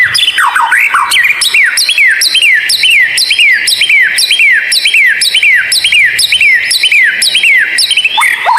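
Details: White-rumped shama song used to train and encourage lazy captive birds, called rare and strange: loud downward-slurred whistles with buzzy overtones, repeated about twice a second in a steady, insistent series.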